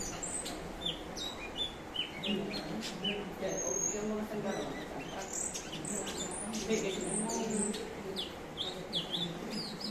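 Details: Cucak cungkok, a bird often used as a master singer to train contest birds such as magpie robins, known for varied song and mimicry: rapid run of sharp chirps and quick whistled sweeps, with a low murmur of human voices underneath.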